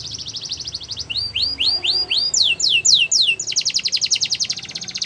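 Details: Canary song in phrases: a rapid even trill, then slower repeated downslurred whistles about four per second, a run of rising sweeps, and a fast rattling trill to finish.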